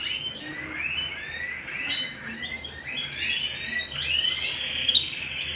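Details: Canary singing at home, a continuous run of bright warbled phrases with quick rising and falling sweeps and trills, shifting pitch every second or so, over a faint low hum.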